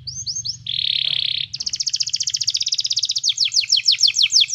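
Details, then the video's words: Canary song played to teach a canary to sing: a few rising whistles, a harsh buzzy burst, then a long rapid trill that shifts into louder, quicker repeated notes. A low steady hum runs underneath. "cantar canário faz seu canário cantar"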